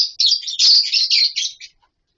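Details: Lovebirds in a captive colony setup with wooden nest boxes and mud bowls give a dense run of shrill, high chirps for about a second and a half, then fall silent.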